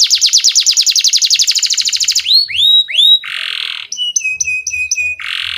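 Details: Canary singing as a tutor lure for young birds, opening with a rapid repeated trill, then upward swooping whistles, a buzzy rasp, and evenly spaced metallic chips repeated several times a second.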